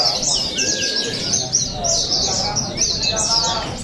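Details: Oriental white-eyes singing during the Pesta Bederun Balingian 2023 contest in Sarawak: rippling runs of very high, quick twitters with brief lower whistled notes, set against muffled background crowd noise.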